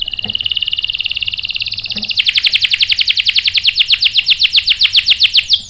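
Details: Canary lure song for goading males to sing: an even, ringing trill becomes abruptly louder and richer after two seconds, continuing as a sharp, rapid roll of high notes.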